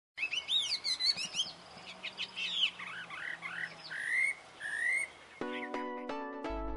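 Taiwan hwamei singing rich, varied phrases of loud slurred whistles and quick trills, rising and falling in pitch. Steady electronic music tones take over in the last second or so.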